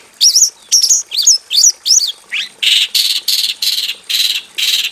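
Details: Caged Javan bush lark in a simple aviary, giving several high looping whistled notes, then a run of harsh buzzy rasping bursts repeated about twice a second.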